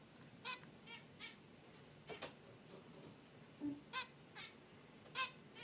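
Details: Caged zebra finches relaxing by their wicker basket nest give short nasal honks, with about four calls spaced a second or more apart over a quiet background.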